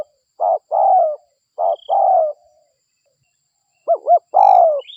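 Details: Spotted dove lure call from a local bird, used to draw doves in: three phrases of short hoots and long, slightly falling coos, with a brief high whistle from another bird.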